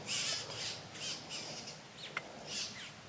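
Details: Red-bellied grackle nestlings, three of them, being fed at the nest in La Romera reserve, Colombia, 2012: raspy squawks in quick succession, with a sharp click partway through.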